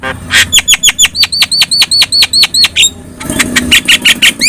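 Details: Javan myna, yellow-eyed, singing as a training example for songbirds: a steady train of about twenty quick, bright, repeated notes, then a rougher, rasping stretch mixed with more notes.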